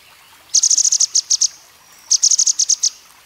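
A grey-headed canary-flycatcher sings two quick bursts of about ten thin, very high, evenly spaced notes, each burst lasting under a second, against a quiet background.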